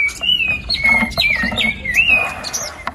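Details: White-rumped shama lure song meant to push a reluctant bird to sing: a long, steady mid-pitched whistle bending up and down, broken by quick high slurs, with some rough background hiss beneath.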